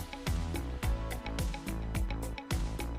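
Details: Rhythmic instrumental music with a steady thumping beat and bass notes, and no animal voice.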